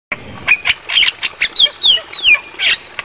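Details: Javan myna (jalak kebo) song on a training recording for caged birds to copy, meant for nighttime playback: a loud jumble of harsh squawks and clear whistled notes, some sliding downward, closely spaced.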